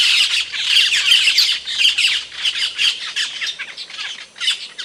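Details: An Asian glossy starling (Aplonis panayensis) in Indonesia gives a loud, sharp call: a dense run of harsh, high squawks and metallic chips, packed closely together with short pauses.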